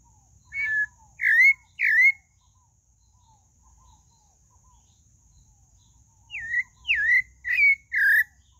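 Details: Pale-breasted thrush singing two bursts of short whistled notes, three then four, each note rising or dipping sharply, separated by several seconds of near silence.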